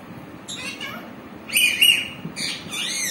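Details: Green parrot vocalizing, described as talking: short harsh harmonic squawks, then a louder drawn-out whistled note that rises and dips, followed by further raspy calls in quick succession against a quiet background.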